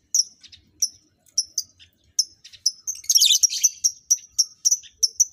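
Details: Lovebirds being matched as a breeding pair; sharp, high squeaky chirps repeat about twice a second, broken by a dense, raspy chattering burst midway before the steady chirps resume.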